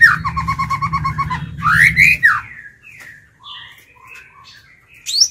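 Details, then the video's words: White-rumped shama kept as a decoy, singing to attract and challenge wild birds: a series of quick repeated notes over a low hum, loud rising whistles, then softer scattered notes and a final upslur. "Chích chòe lửa mồi hót gọi bổi"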